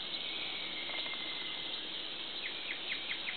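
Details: Lanceolated Monklet drawn by playback onto canopy walkway tower 1 at Sacha Lodge, Ecuador, calling back: a quick run of five thin slurred whistles about a fifth of a second apart over a dense insect buzz.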